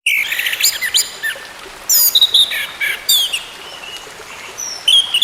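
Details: Orange-headed thrush song, played as therapy to get a silent bird singing again: varied high, sharp phrases with quick slurred notes and short trills, coming in separate bursts with brief pauses between them.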